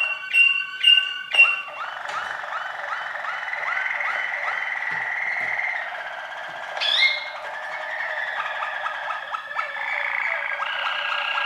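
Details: Waterslager canary song: sharp chirps, then a run of rapid looping, gurgling notes rolling on steadily, broken by a bright upward whistle midway before the bubbling tours resume.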